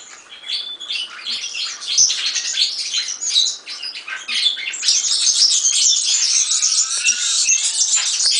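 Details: European serin song starting as scattered sharp chirps, then swelling into a continuous, fizzing, high-pitched jingle for the second half.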